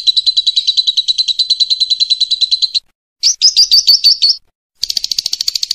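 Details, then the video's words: A lovebird gives long, rapid, high chattering runs, about three per second, in three bursts separated by short pauses, with no other sounds; the recording is used as a master song for training other birds. "MASTERAN BURUNG LOVE BIRD TERBAIK / PASTI IKUT NGEKEK"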